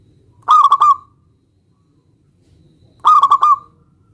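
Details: Local zebra dove's challenge song aimed at drawing an answer from a rival: two identical rolling phrases of rapid clipped notes ending in a short trailing tone, separated by about two seconds of quiet.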